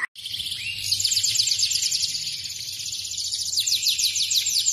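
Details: F2 Yorkshire canary singing a long, even, high trill of fast repeated sweeping notes that carries on without pause after a click at the start, over a faint low hum.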